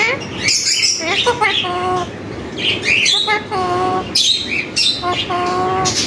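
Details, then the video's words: Tame parrot repeating words learned from people, such as MashaAllah, kon hay and mano; a rapid sequence of clipped, voice-like phrases with harsh squawky edges, repeated in bursts roughly every second. "full talking parrot"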